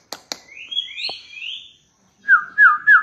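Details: Two sharp clicks open a white-rumped shama phrase, played to set other shamas singing, followed by overlapping high, rising whistles and then three loud, down-slurred whistled notes in quick succession.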